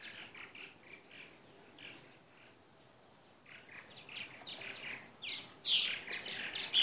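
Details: Purple martins, about 75 gathered one morning in Katy, Texas, in 2014, a week or two before heading back to Brazil; soft overlapping chirps and chatter, building toward the end with a few louder sharp notes, steady faint hiss behind.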